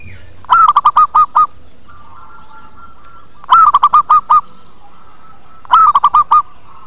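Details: Zebra dove lure call meant to draw other birds in quickly and get them answering: three bursts of five or six rapid, clipped cooing notes, the first slightly higher, repeated about every two and a half seconds, with a faint steady tone between.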